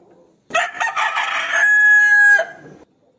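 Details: A rooster crows, challenging a rival to fight: a single crow about two seconds long, opening with a rough, ragged burst and ending on a drawn-out, clear high note.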